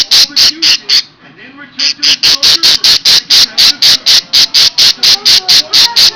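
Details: Pet parakeet kept indoors raising an alarm when a person approaches, a long run of harsh rasping bursts repeated about twice a second, broken by one short gap, with faint voices underneath.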